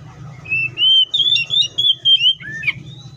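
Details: Oriental magpie-robin in the wild delivers a rapid run of clear, slightly wavering whistles at steady pitch, ending in a sharp dipping note, with low background rumble.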